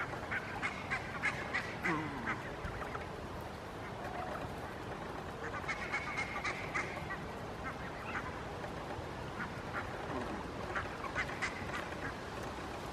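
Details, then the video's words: Barnacle geese grazing on a lawn in Helsinki, Finland, in September 2022, keep up a busy chatter of short, yapping, high-pitched calls, many overlapping in quick runs with brief pauses, over steady low background noise. "Barnacle Geese grazing and vocalizing"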